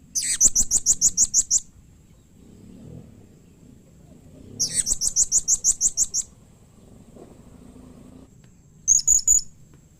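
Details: Blue-crowned hanging parrot giving a call said to draw quick replies from other hanging parrots: two bursts of very high, rapid, evenly spaced shrill notes, about ten per burst, then a short sharp note, over a faint steady high whine.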